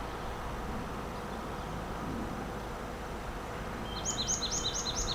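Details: Marsh tit calling near trees on a New Forest trip in March 2025, DJI Mic 2: after a long stretch of low engine rumble, a fast run of about six sharp, high, doubled chip notes ends the recording.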